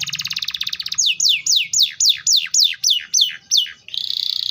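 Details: Canary singing: a fast high trill opens, then about ten clear falling whistled sweeps repeated roughly every third of a second, ending in a dense buzzy rapid trill.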